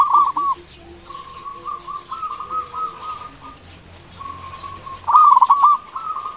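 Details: Local zebra dove (perkutut) with a big, loud voice, used as a lure to stir quiet doves into calling, gives rapid trilling coos at steady mid pitch in one-second bursts, over a faint high whine.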